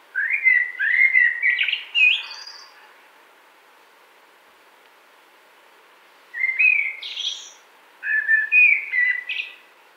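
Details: Common blackbird recorded near Wittlich in 2018. Three bouts of smooth, melodious warbling, each topped by thin high squeaks, are spaced across ten seconds, with a long pause in the middle.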